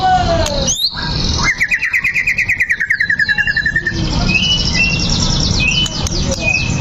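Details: Provoking song of a fighting white-rumped shama: a falling whistle, then a long rapid trill of chattering notes held for about two seconds, ending in scattered high thin chips and a steady background hum.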